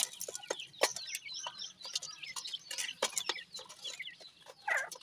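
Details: Grey francolin chicks, known as desi or jungli teetar, give dense, overlapping high peeping calls. Short wavering whistles rise and fall against sharp clicks and taps, with a louder burst of peeps near the end.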